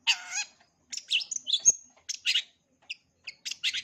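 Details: Long-tailed shrike with a full repertoire for young birds to learn: a nasal, harmonic call, then fast chirps, a high thin whistle and a click, and scattered brief chip notes.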